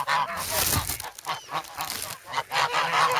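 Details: Hungry geese crowding for bread in a snowy Amsterdam park, 3 February; short harsh honks from several birds in quick irregular bursts, loud and close.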